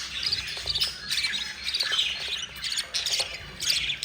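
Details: Four budgie chicks being fed by their yellow mother make hoarse, hissy squawks in uneven clusters, with a brief quieter pause partway through.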